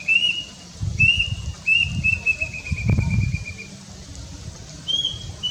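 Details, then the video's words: Plaintive cuckoo (Cacomantis merulinus) delivering a stepped series of high whistles that speeds up and drifts lower, then one higher note at the end; low rustling and handling noise sounds underneath. "Suara Khas Si Burung Mitos (Pembawa Pesan Kematian) Wiwik Kelabu Atau Lebih Dikenal Dgn Nama Kedasih"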